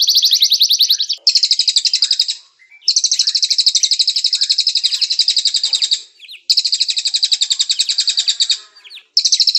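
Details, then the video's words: Canary song recorded clearly as a training master for white-rumped shamas: long rapid buzzy trills at high pitch, rolling on for about two seconds each, separated by short pauses, with a few faint lower chirps between phrases. "Masteran Murai Batu Kicau Kenari, suara masteran jernih"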